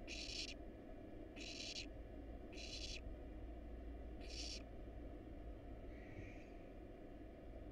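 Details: Wild barn owl young in a nest box, eating a rat and a rabbit, give four quick rasping hisses in the first five seconds, then a faint softer call, over a low hum.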